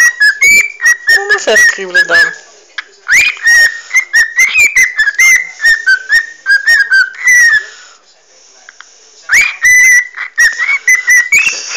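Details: A pet parrot wanting to be cuddled, whistling and chattering while its head is scratched, filmed by phone in dim light; clear whistled notes that slide up and down, mixed with clicks and chatter, a short pause near the end.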